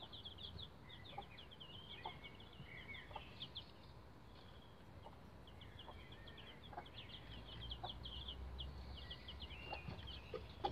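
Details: Eleven-day-old Rhode Island Red bantam chicks on a chicken ladder, producing steady runs of thin, high peeps from several birds, some notes sliding downward, with faint tapping and low background rumble.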